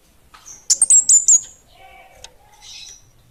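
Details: Kemade, the bunga api kecil variety, singing in a busy, energetic style: a rapid burst of sharp high whistled and buzzy notes, followed by softer lower warbling phrases and a thin trill near the end.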